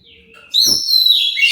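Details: Oriental magpie-robin song intended to provoke answering birds: a soft descending whistle, a click, then a loud ringing run of high whistled notes.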